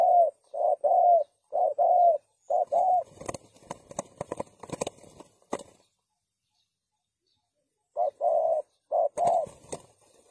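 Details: Spotted dove calling as a trapping lure, short mellow coos in quick pairs, broken midway by clattering knocks and rustling before the cooing resumes.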